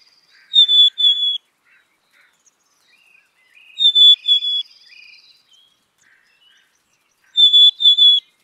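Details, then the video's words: Black-capped chickadee repeating its two-note whistled song three times, roughly every 3.5 seconds; each high, pure phrase drops slightly on the second note, with faint low rising tones and a soft buzzy trill between. "Black capped Chickadee Song ! Black capped Chickadee Sound ! Black capped Chickadee Call"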